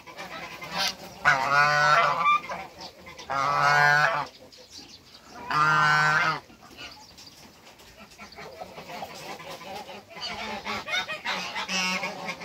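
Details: On a waterbird farm, a pair of African geese sound three loud, strained honks about two seconds apart, each lasting around a second, followed by quieter, softer honking and low background noise.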